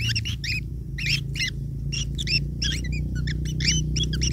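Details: Long-tailed shrike chicks begging while fed by a parent: rapid, irregular bursts of buzzy, twisting chirps in quick succession over a steady low hum.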